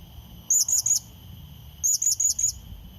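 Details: Blue-crowned hanging parrot lure call used to call and challenge a rival: two quick bursts of thin, very high shrill notes, three then four, with a faint steady high hum in the background.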